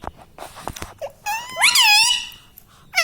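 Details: Pet parrot that talks, saying "mummy papa". Faint soft sounds come first, then one loud, drawn-out, rising and falling voice-like syllable lasting under a second.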